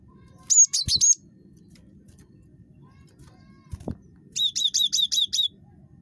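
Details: Very chattery cinereous tit (gelatik batu) serving as a lure for other birds' calls: a quick trio of high shrill notes, a sharp click-like knock, then a steady run of six high metallic notes.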